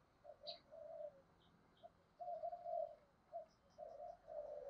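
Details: Spotted dove kept as a decoy to lure others. Low muffled coo phrases repeat about every second over steady background hiss, with brief higher chirps from other birds.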